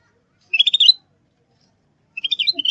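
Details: Lure call of a Sooty-headed bulbul for trapping and training: two short, scratchy chattering bursts of high notes separated by more than a second of silence.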